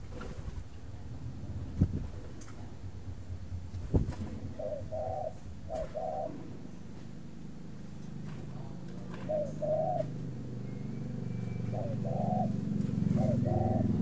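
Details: Captive breeding spotted dove at a bird farm in Ba Vi, Hanoi, Vietnam, kept for its calling. Low, soft coos come in short paired phrases at intervals, with gaps of several seconds between them. A quiet indoor hum and occasional clicks and knocks sit underneath.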